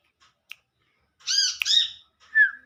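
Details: In the wild, a calling olive-backed sunbird, known locally as Kolibri Manggar, contacts its companions. A faint click, then two loud buzzy, grating notes run together, followed by a single clear downslurred whistle.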